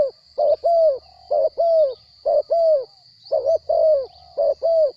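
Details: Captive spotted dove cooing: deep, mellow notes in short paired phrases, a brief coo followed by a longer falling croo, repeated steadily over several seconds, with a faint constant high electrical whine behind.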